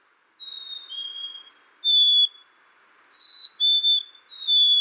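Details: Black-capped chickadee giving whistled two-note fee-bee phrases, interrupted by a short burst of buzzy, rapid dee notes, over a faint low background hum.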